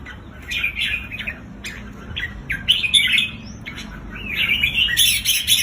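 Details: Red-whiskered bulbul song, played to excite caged bulbuls at home: bright, squawky chirped phrases in short bursts, with a harsher, noisier burst near the end and a low background hum.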